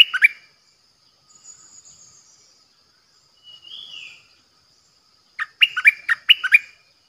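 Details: Decoy bulbul, recorded 8 May 2021: a brief bubbling note pair at the start, then a quieter gap with soft high whistles, then a lively run of about eight warbled notes.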